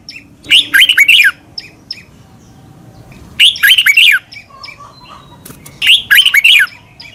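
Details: Training song of a red-whiskered bulbul from Thailand for captive birds: three bouncy phrases of liquid, down-slurred chirps, spaced about two and a half seconds apart, with soft chatter and low background noise between.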